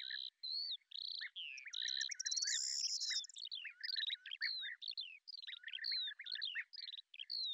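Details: Rich, mimic-like chatter from a hunting lesser grey shrike in Azerbaijan: clear whistled notes, a fast buzzing rattle, and repeated squeaky slurs in quick succession.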